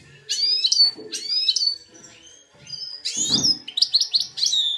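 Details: Hybrid goldfinch x red siskin, two years old, caged in Belfast, singing bright high twittering phrases with sweeping downward notes, a short pause, then quicker buzzy trills; a faint low thump mid-phrase.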